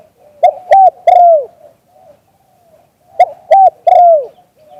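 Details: Live recording of a spotted dove's 'liu tan' style coo: two phrases of three notes each, two short level coos then a drawn-out falling one, separated by soft, faint cooing.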